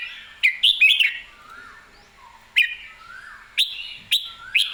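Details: Red-whiskered bulbul, excited and singing clearly: short loud whistled phrases with sharp starts and sliding, falling notes, given in bursts about every second with quiet gaps between them.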